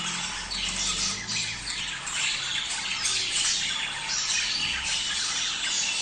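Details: Chattering budgerigars used to encourage breeding: busy overlapping warbles, squeaks and harsh squawks pulse in loose bursts roughly every second, with a soft low hum underneath.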